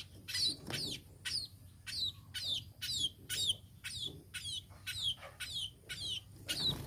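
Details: Tame sparrow repeating sharp, high, falling chirps roughly twice a second in a steady series of about eleven notes.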